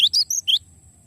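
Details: Java sparrow song fragment for training songbirds: four quick high whistled notes, two rising slurs framing sharper chips, all within half a second, then a faint steady hum.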